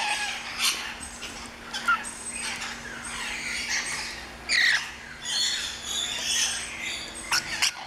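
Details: Rainbow lorikeets, a noisy flock of small parrots in a walk-in lorikeet garden at an orchid farm in Luttelgeest, Netherlands: harsh screeching squawks in bursts over a constant chatter, with a steady low hum underneath.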